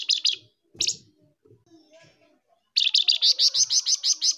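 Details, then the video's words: Male and female flamboyan birds, recorded for luring: two buzzy notes, a single sharp burst, a quiet gap with faint sounds, then a long even series of about twelve rapid harsh chattering notes. "suara pikat burung flamboyan gacor langsung respon"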